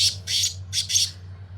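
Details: Sindhi black francolin (kala tetar) calling in fields: four harsh, grating, buzzy bursts in quick succession, the first pair separated from the second by a short pause, over a low steady hum.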